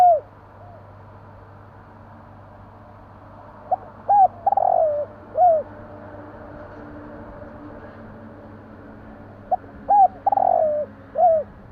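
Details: Spotted dove heard at night: two spaced phrases of hollow coos, each with a brief rolling trill between arched notes, separated by several seconds of near silence and faint hum.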